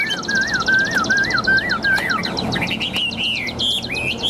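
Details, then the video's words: Chinese hwamei, tame, newly arrived caged bird said to sing nonstop with a very loud, ringing voice; wavy whistled notes repeated about every quarter second, then climbing higher, sharper phrases, with a buzzing trill from other birds. "Chim Thuần Mỏ Ra Như Máy, Giọng Cực Vang Cực Chất"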